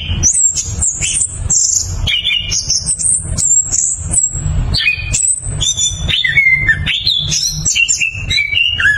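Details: Singing orange-headed thrush, loud and clear in rolling 'ngeroll' style, played as a lure: rapid varied phrases mixing piercing high notes, short trills and falling whistles, nearly unbroken, over a persistent deep hum.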